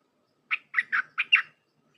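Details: Red-whiskered bulbul, 'dok taeng' song style used for training hand-reared young birds: five evenly spaced, somewhat harsh chirping notes over about one second in a clean, quiet setting.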